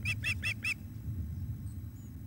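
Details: Osprey at its nest at Loch of the Lowes as the male brings a fish for the female, 7:48 pm on 17 July 2021: four quick, clear whistled chirps in a row, then quiet over a steady low rumble.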